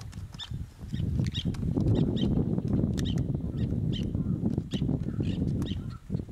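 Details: On breeding rocks off Ishigaki Island, Okinawa, Japan, Black-naped terns keep up short, high, scratchy notes roughly three to four times a second, set against a strong, continuous low rumble.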